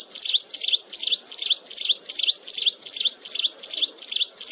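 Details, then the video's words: Loud, shrill song of a mountain wren: a fast series of high swooping notes, each dipping then rising in a V shape, repeated evenly about two and a half times per second over a soft low background hum. "Tiếng Hót Liên Hồi Chói Tai Của Chim Hồng Tước Núi"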